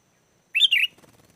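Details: Sooty-headed bulbul, lure song for wild bulbuls: one brief two-part phrase of rich, slurred whistles, followed by faint rustling noise.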